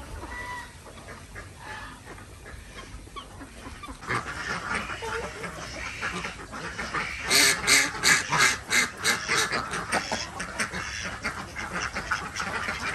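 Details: Desi ducks on a village farm in Andhra Pradesh, India, during morning egg collection; quiet rustling at first, then a flock breaks into rapid, harsh overlapping quacks, loudest in the middle section.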